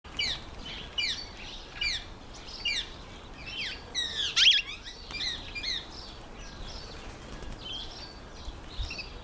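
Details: Female mountain chat, also known as Bergwagter or Khaloti: quick series of sharp, high chirps and short rising-falling notes in bursts, with a louder slurred note near the middle and fainter twitters after it.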